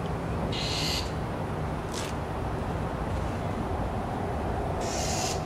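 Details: A northern mockingbird harshly screeches as it tries in vain to drive off a vulture, giving short grating bursts early, midway and near the end against constant low background noise.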